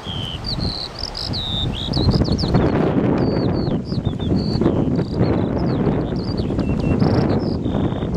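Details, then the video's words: Skylark song pouring out without pause, varied high whistles, sharp slurs and buzzy flourishes, with heavy wind noise throughout. "Skylark singing"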